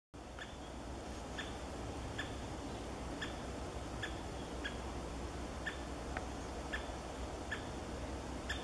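A great spotted woodpecker gives about eleven sharp, high 'kik' notes, roughly one every second or less, over a steady low rumble of wind or traffic.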